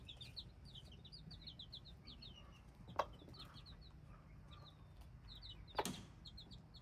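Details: Several hybrid chicks give quick, high, falling peeps in loose bursts, thinning out toward the end, with two loud clicks and a soft low hum underneath.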